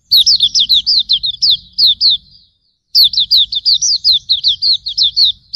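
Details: Hume's white-eye (auriventer) tutor song: two long, lively strings of sharp, high, downslurred twitters separated by a half-second pause, steady and fast throughout.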